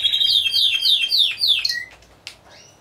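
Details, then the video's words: Timbrado Español canaries competing in a team class at a singing show, 25 November 2015; a series of quick downward-sweeping notes ends in a short flat whistle, then faint clicks. "Έκθεση Καναρινιών Φωνής Timbrado Español"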